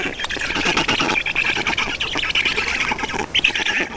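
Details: Black storks at a nest in Estonia during feeding, 31 May 2019 at 14:53: a continuous harsh, raspy squawking chorus with rapid pulsing, mostly mid-high pitched, hardly pausing over four seconds.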